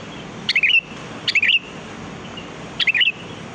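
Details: Sooty-headed bulbul lure song for catching birds, three short bubbly phrases, each a sharp upward note followed by rolling, wavering whistles, spaced about a second apart against a faint hiss.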